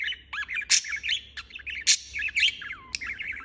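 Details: Budgerigar chirping non-stop: a busy, unbroken stream of warbled chirps, squeaks and short whistles jumping up and down in pitch, with a few sharp louder squawks mixed in.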